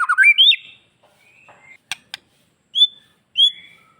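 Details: Bali white-rumped shama singing to coax other shamas into answering; a quick rising whistled phrase, then sparse sharp clicks and two separate bright whistled notes with quiet gaps between.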